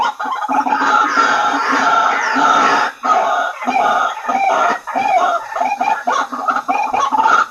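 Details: White-breasted waterhen calling as a lure to gather waterhens: loud, continuous, raucous croaking chorus, broken by brief pauses, then resuming with repeated harsh phrases.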